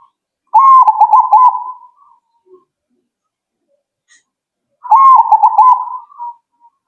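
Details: Responding promptly, a zebra dove delivers two rolling coo phrases, rapid pulsing notes at a steady middle pitch that trail away after about a second and a half, with silence between.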